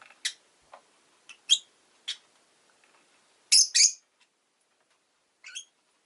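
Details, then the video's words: Rosy-faced lovebird producing a run of short, sharp chirps at irregular intervals, louder doubled squawky notes in the middle and a quieter chirp at the close, background otherwise still. "Lovebird Chirping Sounds"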